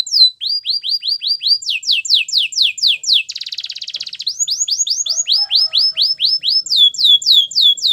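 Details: Song of a Belgian canary for training, made of fast repeated downward-sweeping whistled notes broken by a short buzzy rattling trill, then more rhythmic descending phrases.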